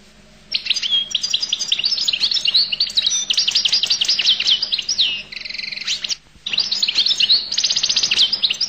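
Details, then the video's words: Goldfinch of Collo in sustained, dense high song of rapid chirps and slurred notes, including a buzzy trilled section, a short silence, then further bright twittering. "تغريد حسون القل"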